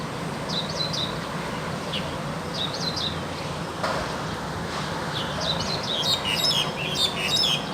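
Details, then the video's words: Singing wild crested myna repeats short warbled whistles every couple of seconds, breaking into a louder, busy stretch of squeaky chatter near the end; low steady noise underneath. "Burung jalak hongkong liar gacor"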